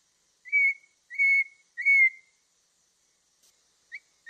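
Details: Three drawn-out, pure whistled notes from a Black-throated laughingthrush, evenly spaced and nearly level in pitch, followed by a couple of faint short notes.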